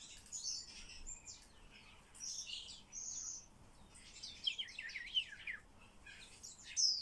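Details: Starling in talk training, giving scratchy high chatter and clipped whistles in several separate bursts, including a sustained thin whistle near the three-second mark and a sharp rising squeak at the end.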